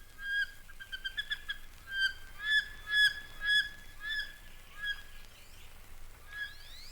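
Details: Wood Duck at Mountain Lake Sanctuary, Lake Wales, Florida, where wood ducks nest in tree boxes, gives a run of squealing, slightly rising whistled notes, about two a second, fading toward the end, with faint thin notes from other birds.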